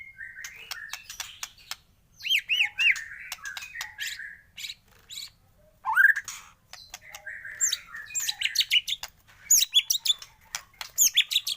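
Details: White-rumped shama in the morning: dense, chattering song mixing high twitters, short whistles and sharp upward-sweeping notes, with clicking sounds throughout.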